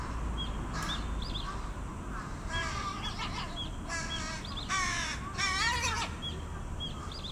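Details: Young carrion crows, already as big as their parents, begging an adult for food: repeated harsh, nasal caws with stacked harmonics, growing louder and more insistent toward the end, with faint thin chirps of other birds and low background rumble.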